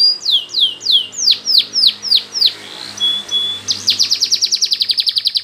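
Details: Training song of a canary: a series of about eight loud descending swooping whistles, a brief thin steady tone, then a fast even rolling trill of rapid repeated notes to the end.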